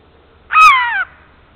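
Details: Jay heard in the morning at a black stork nest camera in Estonia, 30 March 2014 at 9:18, giving one loud, harsh, drawn-out caw lasting about half a second and sliding downward at the end, with a faint low hum behind it.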